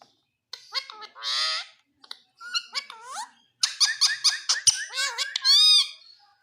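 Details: Green Indian ringneck parrot talking: high, strongly harmonic speech-like syllables with bending pitch, a long buzzy vowel, short pauses, then rapid clipped chatter ending in a bright drawn-out call.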